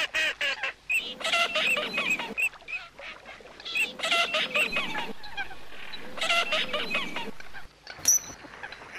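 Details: Coots giving a noisy chorus of nasal, honking calls in dense bursts of about one to two seconds, separated by short quieter gaps, with a single sharp high note near the end.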